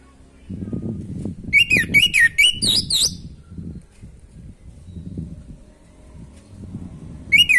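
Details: Orange-headed thrush, a natural singing bird used to stimulate breeding drive in other birds: a burst of bright, quickly repeated whistled phrases with rising and falling slurs, then a pause and one more phrase, over low rumbling background noise.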